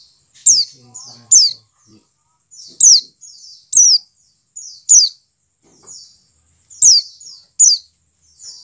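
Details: White-eye of the dakun type, used to get caged white-eyes singing: piercing high downslurred notes in quick pairs, separated by thin buzzy phrases, with faint low murmuring in the background.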